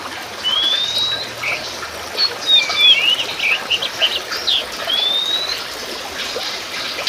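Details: Oriental magpie-robin of the Sumatran musicus race singing energetically: a rising whistle opens, then a jumble of quick chirps and slurred notes, ending in another long upward whistle, over background hiss.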